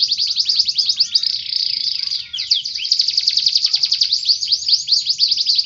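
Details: Singing pet canary: dense high trills and a sustained buzzy rolled passage, then more rapid chattering trills with slurred notes, almost continuous, over faint low background noise.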